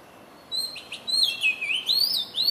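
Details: Oriental magpie-robin singing while dancing: a sweet high whistle, two short chips, then a loud rolling warble sliding down and back up, ending in a rising whistled note.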